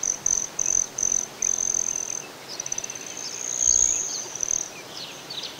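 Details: Broad-tailed hummingbird, Great Sand Dunes, Colorado: four quick, shrill buzzing pulses, then a longer sustained high trill that swells and fades, with faint softer chirps behind it.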